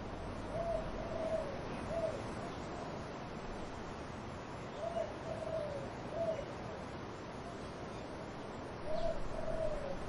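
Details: Low, soft dove coos against wind in trees. Brief notes run into drawn-out hollow coos in loose groups spread across the stretch, with a constant broad hiss of wind throughout.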